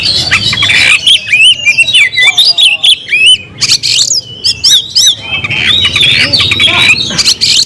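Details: Energetic oriental magpie-robin song meant to summon a rival to fight, made of loud looping whistles, quick upward and downward slurs and scratchy squawks in dense bursts, with brief pauses between phrases.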